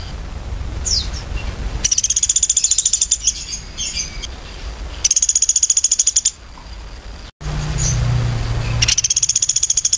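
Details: High, rapid woodpecker note series repeated three times, each burst of sharp piercing pips running for over a second, with thin scattered chirps between bursts and a low steady background hum.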